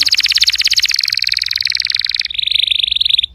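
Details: Canary singing, used to coax a quiet canary into song: a fast, rolling trill of rapid pulsed notes that slides slightly lower, then a smoother, sustained buzzy tour at the end.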